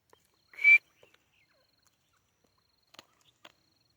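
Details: One loud, brief, slightly upslurred whistle from a white teetar partridge, followed by soft clicks and a faint high pulsing buzz.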